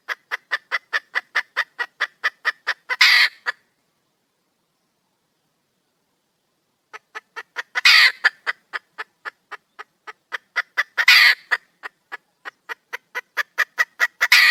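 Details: Calling wild red junglefowl female seeking a male: long trains of rapid, even clucks with several coarse, noisy squawks mixed in, separated by a silent stretch of a few seconds.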